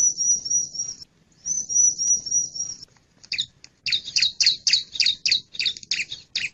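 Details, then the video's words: Call of a male bar-winged prinia: two long, thin, high wavering whistles, followed by a quick series of sharp, scratchy chirps repeated several times per second. "Suara panggil burung ciblek jantan"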